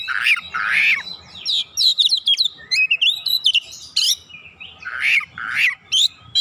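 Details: Oriental magpie-robin (kacer) in vigorous gacor song, a pancingan lure recording: dense run of sweet whistled and buzzy notes, rising and falling slurs packed closely for over six seconds, faint low hum behind.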